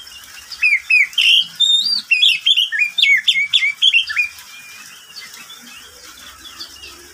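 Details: Pet oriental magpie-robin singing in the middle of the day: four seconds of fast, varied whistles and chirps with up-and-down slurs, then the song trails off into quieter background notes.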